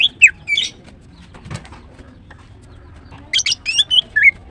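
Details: Female green cucak, the greater green leafbird, singing in the morning: a few high twittering notes, a long quiet gap, then a busy cluster of sharp chirps and a falling whistled slur.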